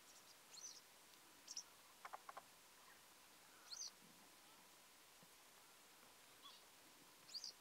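A yellow wagtail gives thin, high, sharp single calls at irregular gaps, about five in eight seconds, with a few lower chirps in between against faint outdoor hiss.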